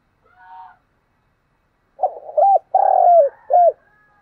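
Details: A spotted dove (Spilopelia chinensis) coos: one soft low note, a pause, then a run of four mellow hooting coos with a long drawn-out middle note.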